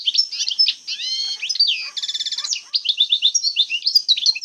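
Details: European goldfinch, Algeria, singing 'jbadat khalawiya' phrases of the old style: chattering high notes, a drawn slurred whistle, then a harsh buzzy rattle before more quick twitters.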